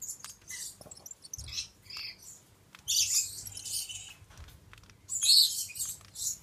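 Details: High, rasping screeches from a male Stella's lorikeet (Charmosyna papou goliathina). Brief chips come first, then two longer, louder harsh bursts about two seconds apart, with soft low hum beneath.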